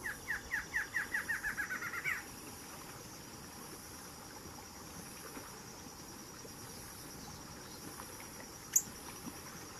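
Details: A barred antshrike, recorded at a new southernmost record for the species, gives about a dozen nasal notes that speed up and end in an emphatic higher note, then falls silent over steady insect hiss.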